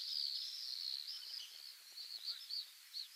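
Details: Pacific swifts, wild and breeding in Mongolia: a loud high screaming trill at the start, then softer pulsing screams with brief louder bursts near the end.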